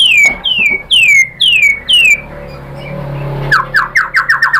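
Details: White-rumped shama lure song for stirring another bird to sing: five loud, falling whistles about every half second, a quieter stretch with low rumbling noise, then a fast series of short downslurred notes.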